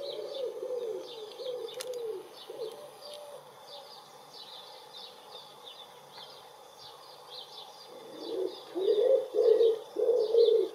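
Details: Common wood pigeon filmed close up cooing in spring, 23 April 2019, with another answering: low hooting coos at the start and again louder near the end, small birds chirping high throughout.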